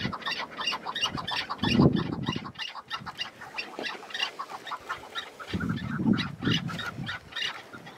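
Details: Chukar partridge on a windy spring mountainside: a hurried series of harsh, clucking notes broken by two bouts of low, rumbling wind noise.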